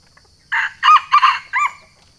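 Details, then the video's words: Wild junglefowl from Sumatra crowing to challenge a rival, a call used to lure junglefowl: four loud, harsh bursts, a short opening note, two longer strained ones and a clipped final note, against a quiet background. "suara ayam hutan manggil lawan"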